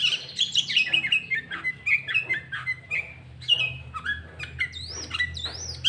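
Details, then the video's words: Lively sooty-headed bulbul song played to lure bulbuls and provoke rivals: busy chattering and whistled notes in quick succession, with high sweeping whistles near the end. "Pancingan Burung Kutilang Gacor Full isian Cucok ijo"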